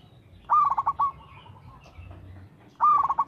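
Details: Zebra dove of a local strain in regular song, meant to coax other doves into singing: a sharp rising note opens each phrase, then quick stuttering coos trail off, with two phrases over faint low background noise.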